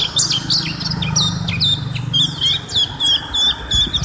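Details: A long-duration white-eye training recording of song for other birds to learn: a rapid, high twittering run of thin chirps and slurred whistles, several each second, over a low steady hum.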